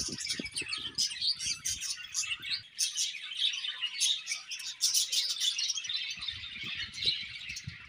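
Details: Pairing budgerigars keep up a soft, continuous twittering warble of fast high chirps and squeaks, with faint low taps at the start and end.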